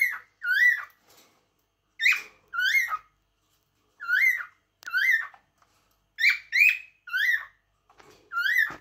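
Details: Song of a cockatiel: clear, swooping whistles that rise sharply and fall back, given singly or in pairs at irregular intervals, with a few soft extra chirps between them.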